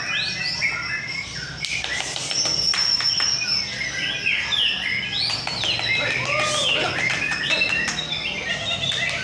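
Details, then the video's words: White-rumped shama in a singing contest in North Jakarta, Indonesia, pouring out a dense run of whistled notes, swooping slurs and chattering trills, overlapping other contest birds, with clicks and crowd noise. "KONTES BURUNG MURAI BATU"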